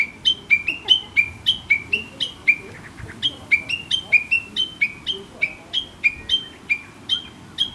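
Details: Countryside Chinese hwamei, whose talkative-sounding song rouses the listener every morning; crisp repeated whistles alternating high and low, delivered rapidly and evenly for about eight seconds, with soft background hum.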